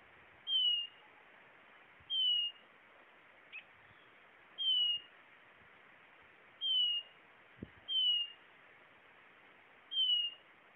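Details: Blue-naped chlorophonia repeating a single descending whistle six times in about eleven seconds, spaced unevenly, with an occasional faint click or tap in between.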